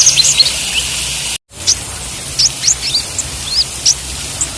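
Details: Olive-backed sunbird (konin) song in the trotol and ijoan styles, used to train caged birds to sing: thin, high, upward-flicking chirps scattered over a steady hiss, with a short break of silence early on.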